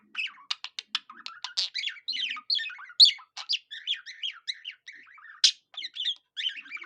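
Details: A pet budgerigar singing in a way likened to a cockatiel: a fast, varied warble of chirps, clicks, squeaky whistles and buzzy rising notes, nearly continuous with brief gaps, over a silent background.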